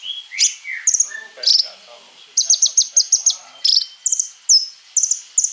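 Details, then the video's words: Van Hasselt's sunbird, a recording used to lure and stimulate other sunbirds, gives high, thin, sharp chips and quick stuttering trills in short bursts with brief pauses, over a faint rasping insect-like buzz. "KONIN GACOR FULL ISIAN MENTAL BAJA COCOK BUAT PANCINGAN KOLIBRI NINJA PASTI NYAUT IKUT BUKA PARUH"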